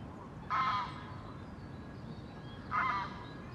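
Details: Great crested grebe pair, reunited and nest building, courting; two harsh, nasal barking calls about two seconds apart.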